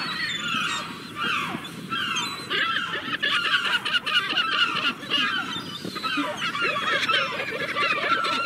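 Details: Seagulls calling together in a dense, continuous chorus: many overlapping harsh, nasal cries and yelps rising and falling without a break, with no other clear sounds.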